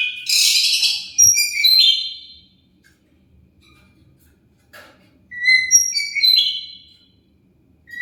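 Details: Oriental magpie-robin song used as a lure to make other birds answer: two bursts of bright, rich whistles mixed with buzzy, chattering notes, separated by a few seconds of quiet.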